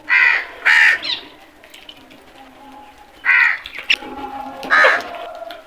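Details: Crows calling: harsh, nasal caws in two quick pairs, two near the start and more after three seconds, with other birds faintly in the background.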